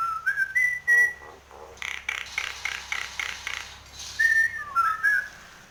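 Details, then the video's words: Nias hill myna in breeding condition, giving clear rising and level whistles, then a harsh buzzy run of rapid pulses, followed by more sliding whistles. "Suara burung Jalak Nias Gacor"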